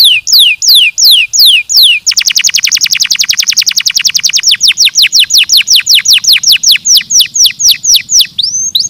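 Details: Song of a canary used for stimulating singing. Spaced down-slurred whistles give way at two seconds to a very rapid dense trill. The trill gradually slows into separate falling notes, with a faint background hum.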